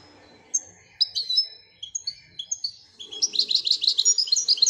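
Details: European goldfinch singing a twittering song. Scattered thin, high whistled notes and short slurs build into a fast run of bright tinkling trills near the end, with faint low background murmur.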